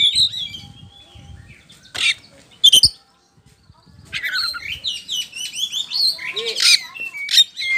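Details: Poci-type oriental magpie-robin singing as a lure to make other birds respond: scattered sharp notes, then a brief quiet gap, then a dense run of varied, high, twittering and whistled phrases.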